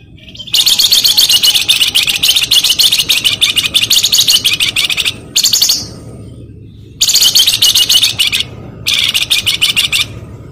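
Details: Flamboyan bird in vigorous song: long runs of rapid, harsh, scratchy notes, broken by short pauses, over a low background hum.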